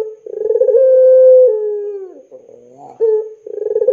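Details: Long-voiced pelung Barbary dove, used as a lure to set off young doves: pulsed rolling onset swelling into a sustained low coo, a faint warbling tail, then another throbbing coo begins.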